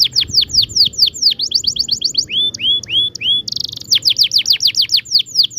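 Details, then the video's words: Gacor canary singing long ngerol song, a tutor for young birds: dense runs of high falling notes, a few rounded upslurred whistles, a buzzy burst, then quick repeated sweeps. "kenari gacor panjang TEMBAKAN NGEROL"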